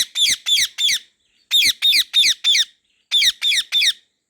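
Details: Harsh screeching from a pet white ringneck parrot in a garden, given in three bursts of three to four rasping squawks separated by short pauses.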